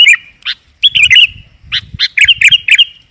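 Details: Sooty-headed bulbul, lively lure recording: a few short chirped phrases, then a bubbling run of quick warbled notes at steady high pitch, with soft low thumps in the background.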